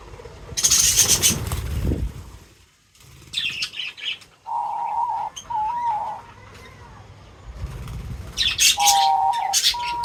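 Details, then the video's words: Feeding birds mix loud flapping wings and high chirp bursts with hollow, mid-pitched hooting notes repeated in short runs. "Crazy Birds Feeding Reaction : Birds Chirping Sounds"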